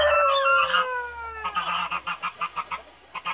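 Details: Backyard Toulouse goose mother guarding her eggs gives a loud harmonic honk that slides downward, followed by a series of short clucking pulses repeated several times per second.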